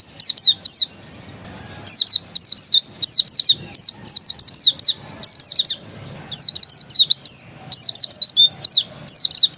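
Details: Dakun pleci, an Oriental white-eye said to be original; long, energetic series of very high, sharp downslurred chirps in fast clusters, with short gaps between phrases, loud over a quiet background.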